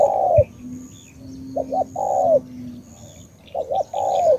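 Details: Spotted dove, Cà Mau, Vietnam, 'tú' style coo: a double short hoot then a long falling coo, repeated twice, alongside a steady low drone and a sharp knock at the start.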